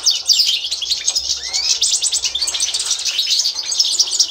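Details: European goldfinch, authentic Constantine strain, singing as a training tutor, 2024: fast jingling twitter with buzzy rattles and one clear rising whistle near the middle, all high and continuous.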